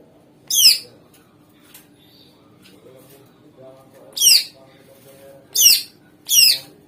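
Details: Greater green leafbird singing to prompt other birds to respond: a single sharp downslurred note, a long near-silent pause, then three more similar shrill notes in quick succession.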